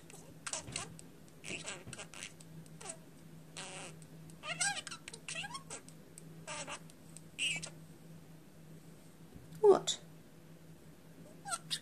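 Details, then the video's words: Budgerigar kept as a pet and known for swearing, chattering in a room: a long string of short scratchy bursts and squeaky notes, some with rising tones, over a constant low hum. "my budgie/parakeet/bird dropping f bombs"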